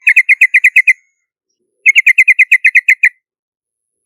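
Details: Two brisk runs of about eight loud chirps each from a yellow-vented bulbul, separated by nearly a second of silence, from a lure recording.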